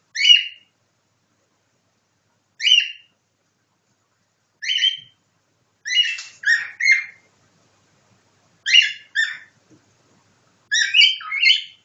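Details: Pet cockatiel copying a nightingale: single short whistled chirps about every two seconds, later joined into groups of two and three chirps.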